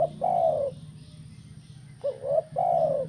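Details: Tekukur, or spotted dove, kuk 1 song for getting other doves singing: long hollow coos followed by a short rising note and another long coo, with a low humming background.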